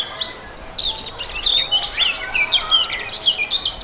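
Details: Passionate song of a European robin: rapid high, liquid warbles and sliding whistled notes in short bursts with brief pauses, over light outdoor background noise.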